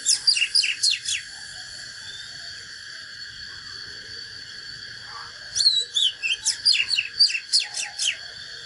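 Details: ['A natural Oriental magpie-robin delivers fighting song in two phrases, rapid crisp whistled strokes followed by a long silence, then sweeping slurs and a brisk run of sharp notes.']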